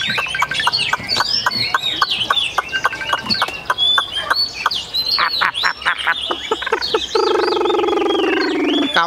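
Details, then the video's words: Caged Chinese hwamei, a tame bird, singing a fast run of varied whistled and slurred notes, some rising, some falling. Near the end a steady, low, droning tone with harmonics comes in, and a man's voice is faintly heard. "Họa mi dáng ngũ trường, bóng bộ cực đẹp, hót cao cầu"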